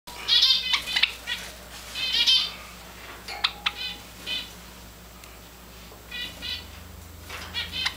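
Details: Tame, hand-fed Java sparrow with grey and white Java finches, giving short, bright chipping notes in scattered bursts, mixed with fluttering wingbeats and soft clicks over a low indoor hum.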